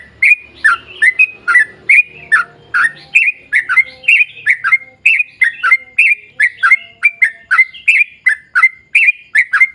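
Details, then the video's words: Extended 'gacor ropel panjang' performance by a yellow-vented bulbul, played to prompt other bulbuls to sing: an unbroken stream of bright, bubbly slurred notes, nearly three per second, with a faint low murmur at the start. "trucukan gacor ROPEL PANJANG buat pancingan trucukan agar bunyi"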